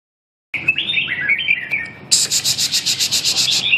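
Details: Red-whiskered bulbul singing: a run of short warbled whistles sliding between high and middle notes, then a fast rattling series of about a dozen sharp, high chattering notes.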